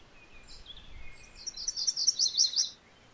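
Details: MacGillivray's warbler song rising out of a faint lead-in. It runs as a string of rolling two-part buzzy notes, ending in a few louder lower notes, over light background hiss.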